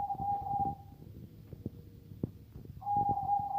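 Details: Zebra dove of the katuranggan majapahit type, said to sound different from ordinary zebra doves: a steady, pure hooting note opens and closes the passage, with soft low thumps and rumbles between.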